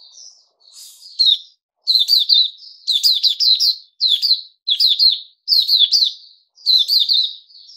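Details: Puteh Raja bulbul given fruit juice and one mealworm, 8 May 2021, singing a steady series of short, bright, bubbling phrases, each of three or four rolling notes, repeated roughly once a second with brief gaps.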